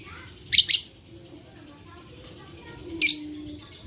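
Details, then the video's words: Lovebird vocalising, used to provoke lazy lovebirds into calling: a quick pair of piercing rasping chirps, a soft pause with faint twittering, then another harsh chirp. "Terapi Lovebird Malas Bunyi Cocok Untuk Memancing Bunyi Semua Love Bird"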